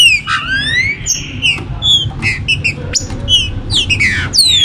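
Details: Green-winged saltator warm-up recording to stimulate birds for the 2022 season: rapid, jumbled whistles, some falling steeply and others short and choppy, with bright rising slurs toward the end.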